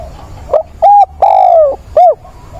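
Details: Spotted dove used as a decoy, with a mature voice, gives its mate-seeking coo on 17 September: brief introductory note, short coo, long coo dropping in pitch, closing short coo, loud with little background.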